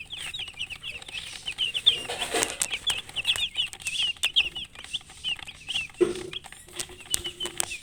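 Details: Chicken chicks with a hen: a dense stream of short, high, rising peeps, many overlapping and repeated rapidly throughout, with brief scratchy clicks and one lower murmur near the end.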